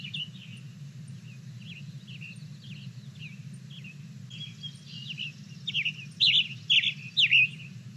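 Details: Western Tanager near Boise, Idaho, singing short, hoarse, buzzy up-and-down phrases at a quick pace, faint at first and then louder near the end, over a steady low hum.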